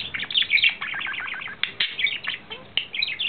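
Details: Courting male budgerigar, April 2009, pouring out a dense, busy warble of fast twittering syllables, scratchy buzzes and sharp clicks with barely a pause.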